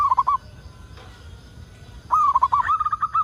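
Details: Local zebra dove song used as a lure so other doves start singing: a brief rolling coo, a pause, then a rapid string of bubbling cooing notes.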